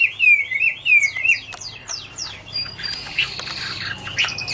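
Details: Garrulax canorus, the Chinese hwamei, sings an autumn love song: a few loud wavering whistles, then fainter sharp downslurred notes and a thin sustained tone.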